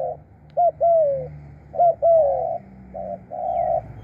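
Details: In Thailand, a decoy spotted dove gives paired coos, a short note then a longer falling one, followed by flatter drawn-out coos, with a faint chirp near the end.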